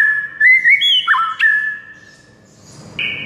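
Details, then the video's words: White-rumped shama delivering a flowing whistled phrase with wavering, stepped pitch changes. A sharp click is followed by quieter, scratchy sounds, and a last steady whistle ends it. "JADIKAN MURAI BATU NYAUT DALAM HITUNGAN DETIK SAJA"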